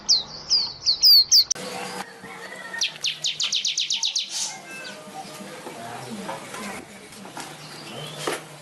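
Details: Weaver singing vigorously while flapping its wings: a quick run of about a dozen sharp, high, evenly spaced notes, preceded by a few loud whistled chirps, with scattered softer chirps and background noise afterward.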